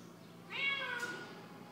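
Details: Pet parrot indoors mimicking a cat's meow: one drawn-out, nasal, cat-like 'miaw' that starts high and slides gently downward, rich in harmonics, lasting about half a second, over quiet room hum.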